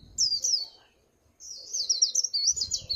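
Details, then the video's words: White-eye giving líu pha chòe song: a short high warbled phrase, a second of silence, then a longer rapid chain of bright zigzag notes. "Tiếng Chim Khuyên Líu Pha Chòe"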